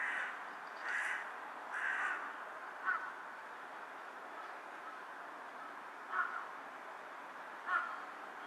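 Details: Carrion crow perched on a power line, bowing as it calls, recorded 18 July 2023: three harsh, hoarse caws about a second apart, then a pause and three shorter, sharper caws spaced several seconds apart over steady background hiss.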